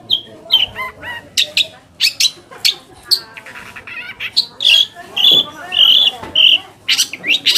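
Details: Long-tailed shrike singing in a lure meant to push silent or lazy shrikes into song: sharp squeaks and short clear whistled notes repeated irregularly, separated by harsher scratchy bursts.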